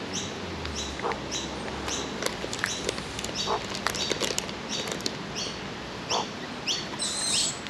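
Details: Australian magpies, a father called Halfbeak and his two young, give harsh, high squeaky calls that drop in pitch, about once or twice a second, with a few lower notes, while being hand-fed.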